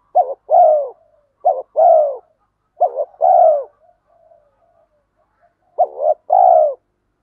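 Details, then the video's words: Male and female spotted doves cooing to stimulate training birds; four low two-part phrases, a brief dipping note followed by a fuller sustained coo, the first three close together and the last after a gap. "Chim cu đất thúc gù"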